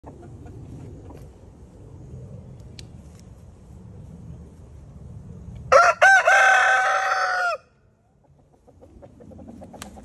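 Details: A red Easter Egger rooster gives one loud, hoarse crow of about two seconds, rising then holding level before cutting off, over a low background hum.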